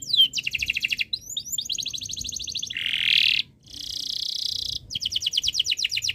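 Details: High-pitched canary song from a bird in breeding condition, used to make other birds sing: fast repeated trill notes, a rich buzzy roll, then more rapid even trills in quick succession.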